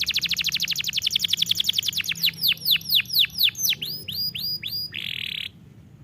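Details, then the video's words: Canary song offered for training other canaries: a fast series of rapid downslurred high notes, then slower drooping whistled syllables repeated about four per second, ending in a brief buzzy trill before quiet. "Este poderoso som de canário é adequado para treinar seu canário"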